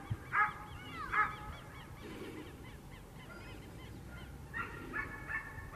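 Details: Black-necked swan that turned up in a town neighbourhood of Mercedes, Buenos Aires, Argentina; soft, breathy, wavering honks in short bursts, some repeated notes, with quiet outdoor background.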